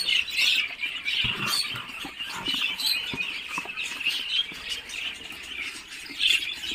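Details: Muscovy ducklings in an incubator, hatched after 28 days, produce steady high-pitched cheeping in uneven surges, accompanied by light tapping and scratching sounds.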